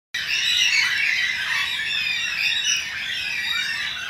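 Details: Endangered Carnaby's black-cockatoos in a suburban backyard in Perth, Western Australia: several birds give overlapping drawn-out, wailing, harmonic squawks, a steady chorus of rising and falling cries.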